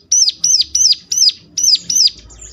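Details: Ciblek in ngeclak mode, a lure meant to make other ciblek answer: six loud, high, arched notes spaced about a third of a second apart, trailing off into faint chatter.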